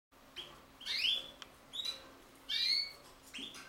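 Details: Common linnet (Carduelis cannabina) x canary hybrid singing, recorded in 2018: a few bright twittering notes and rising whistled slurs, separated by short pauses, with a faint steady low hum underneath.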